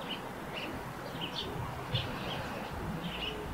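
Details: Eurasian tree sparrow near its roof nest giving repeated sharp, high chirps at irregular intervals of about half a second, with a constant noisy background underneath.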